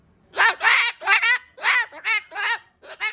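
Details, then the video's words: Pet female cockatoo ranting at home, a rapid run of squawky, speech-like bursts with wavering pitch, about eight short syllables over three seconds, broken by brief pauses. "The Ranting Cockatoo"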